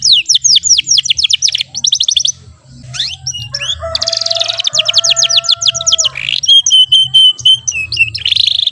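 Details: Juvenile AF-type canary practising song, still with short rolls: fast repeated high downslurred notes, a pause, a buzzy phrase with steady lower tones, then whistled chirps ending in a rolling trill; low background hum throughout.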